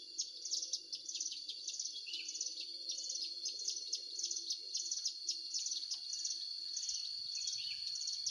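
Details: Lure call of a Hill prinia during trapping in Indonesia: evenly repeated high chirped phrases over a constant shrill insect-like tone, with a soft low murmur in the background.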